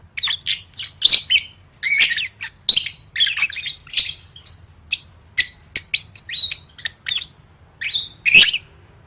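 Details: Lovebird practising the gacor song used at gantang competitions: a steady string of sharp, shrill chirps and rasping bursts, roughly two or three per second, with a low hum underneath.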